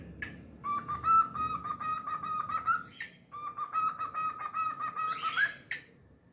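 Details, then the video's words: Long level whistles from a pet cockatiel, each held about two seconds with a slight rise at the end, two drawn-out phrases separated by brief chirps, indoors with soft background hum. "Adorable Cockatiel Milo's Cute Singing Compilation"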